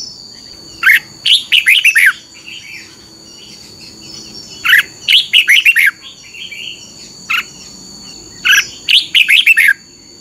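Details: A red-whiskered bulbul training song, played to young bulbuls each morning so they learn it: bright, bubbling phrases of four or five quick notes, repeated every few seconds over a steady high insect whine.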